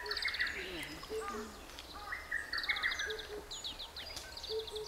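Lesser Cuckoo sings loud, quick staccato phrases over low, hollow double hoots of a Himalayan Cuckoo, with other high twittering birds behind.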